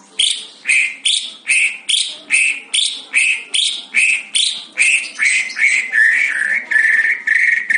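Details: Fighter-style song of a white-rumped shama: harsh rasping notes repeated steadily, about two per second, merging into a continuous scratchy warble at the end.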